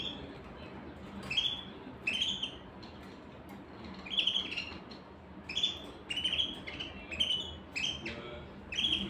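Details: Canary giving a steady series of short, high, downward-slurred chirps, about one every second, with soft background noise throughout.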